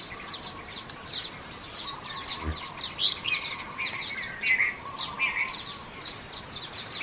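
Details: Xinyuan Township, 3 June 2024: a group of common waxbills keeps up quick, overlapping high tweets with a few lower nasal buzzes mixed in, plus a soft thump midway.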